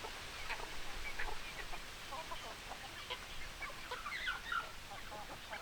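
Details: Chickens clucking in a group: short, scattered clucks in an irregular stream, with a few higher chirps around the four-second mark over steady low background rumble.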